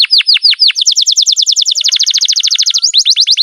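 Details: Pet canary in long rolling song, used as a lure to prompt other canaries to sing: a few descending whistled sweeps, then rapid repeated high trilled notes, shifting pitch near the end, about 200 notes a minute.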